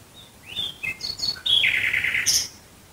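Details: Night-singing nightingale near Dresden, Germany, delivering a varied phrase: rising slurred whistles, quick clipped notes, then a loud buzzy rattle ending in a sharp high flourish; no other sounds.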